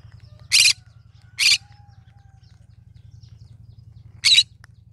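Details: Cinnamon green-cheeked conure singing: three harsh, buzzy squawks, the first two about a second apart and the third nearly three seconds later, over a low continuous hum.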